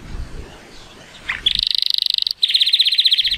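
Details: A male Timbrado Español canary, born 2018 and rated at 83 points, sings on a sunny day. Two bursts of fast rattling trill follow a brief note, with faint background noise throughout.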